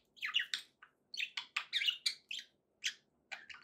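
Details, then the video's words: Budgerigars inside giving spaced, sharp chirps and brief squeaky whistles in quick clusters, separated by short silences, fairly soft overall. "budgie sounds to encourage your parrot to eat and sing"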